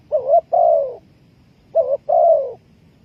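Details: Spotted dove call, used as a lure for trapping birds: two low cooing phrases, each a short coo followed by a longer drawn-out one, about one and a half seconds apart, over a faint background hum.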